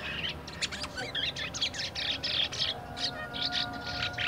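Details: Market-bought black-winged myna in a cage, kept about a week and twittering in the early stage of song: rapid buzzy, scratchy chatter bursts, closely spaced and continuing throughout.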